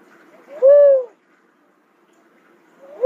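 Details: Cuckoo-dove utters one full mellow whoop rising then falling, followed after a pause by the start of the next note.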